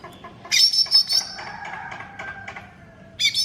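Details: Greater green leafbird, called cucak ijo mini, singing for a masteran: a loud, rapid, buzzy chatter of trilled notes, then descending drawn-out whistles, then a fresh harsh burst at the end.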